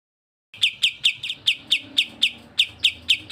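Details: Cucak jenggot (grey-cheeked bulbul) on a recording meant for training songbirds, together with kapas tembak: after silence, a brisk regular series of about fourteen bright, downward-slurred chirps, some doubled.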